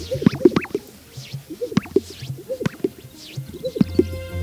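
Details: Male Greater Sage-Grouse displaying on a springtime lek around sunrise: soft whooshing swishes as wings sweep the chest and inflated air sacs are emptied, each ending in a pair of hollow, liquid pops, about every second. Faint music underneath.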